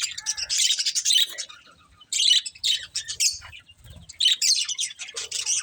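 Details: Several budgies chirping in three loud bursts of rapid, grating, high chatter and squeaks, separated by short quieter pauses.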